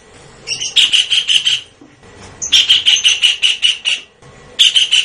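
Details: Blue-eared kingfisher calls used as a lure: short bursts of piercing high notes delivered quickly, starting and stopping three times over a quiet background.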